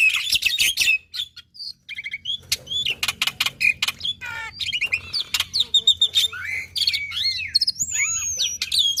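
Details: Black-winged myna in varied, energetic song meant to spur other mynas: harsh chatter, clicks and squeaks, repeated buzzy notes, then long drawn-out descending whistles near the end.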